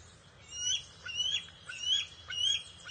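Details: Juvenile bald eagle vocalizing as an adult arrives with fish on June 22, 2021: four short, high, slurred whistles at even intervals, each swelling and fading, over faint background hiss.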